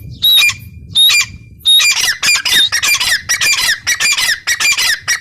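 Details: Grey francolin female (teetar) opens with two spaced high squawks, then breaks into a fast, crowded string of harsh rasping calls.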